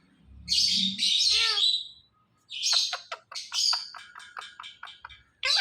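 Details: Ringneck parrot kept as a talking pet: a long raspy screech, then a burst of rapid, clipped chattering squawks, and another screech beginning at the end; a low voice murmurs briefly at the start.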